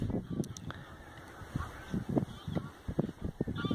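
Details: Lesser white-fronted geese, a busy wintering flock at Oudeland van Strijen, Hoeksche Waard, Netherlands, on 9 February 2022, calling together in short, overlapping cackling honks, several bursts each second.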